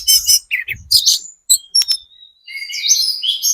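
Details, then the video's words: Spotted Sunda robin lure song intended to make other birds answer: short bursts of high buzzy chatter, separated by gaps, ending in a sustained warbled phrase. "PANCINGAN TLEDEKAN GUNUNG TROTOL SUPER GACOR, burung manapun pasti nyaut"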